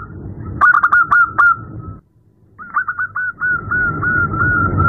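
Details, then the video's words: At night a female zebra dove calls a male with bursts of quick, stuttering coos with clicky attacks, a steady held tone, a brief silence, then a longer rolling series of fluty coos over low background noise. "Terapi perkutut malam hari | suara betina memanggil jantan"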